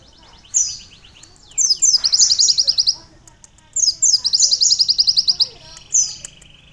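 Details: Sunbird song for canary training: long runs of rapid high trilled notes introduced by falling slurs, two extended phrases separated by a pause, with a single sweeping note closing.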